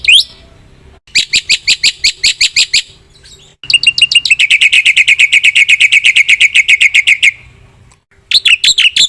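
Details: Jalak putih, or black-winged myna, in lively full song: loud, rasping notes repeated rapidly in long runs, one sustained chatter lasting several seconds, then a short break and a final burst.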